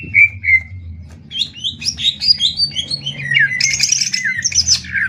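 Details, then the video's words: Two regional greater green leafbirds, Banyuwangi and Kalimantan, contest-singing: two clear whistles, then a busy stream of varied chirps and buzzy harsh bursts building in intensity. "Cucak Ijo Adu Tembak ngetrek!!! Banyuwangi vs kalimantan"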